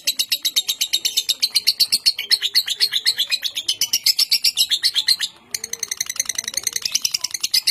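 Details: Long konslet-style ngekek from a contest lovebird in Bogor, Indonesia: dense, high, scratchy chirps repeated about four per second, breaking off in a brief pause near the five-second mark before resuming just as rapidly.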